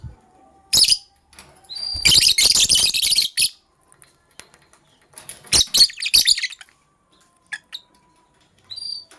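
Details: Sky Blue Opaline and Cobalt lovebirds in morning chatter: a long loud stretch of rapid, grating, buzzy chirps, a second noisy burst, then sparse clicks and a brief whistled tweet in near silence.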